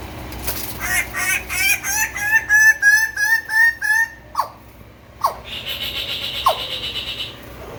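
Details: A male Raggiana bird-of-paradise in courtship display to an interested female: a fast run of about ten loud, harsh, nasal notes, then a few sharp single calls and a steady buzzing hiss at the end.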